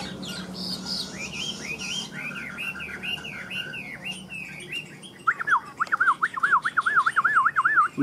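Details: A caged Chinese hwamei with yellow beak, yellow legs and a leaf-shaped tail sings in the evening: loud, rich song with a run of rising slurred phrases, then a fast rolling warble swinging up and down, faint human voices behind.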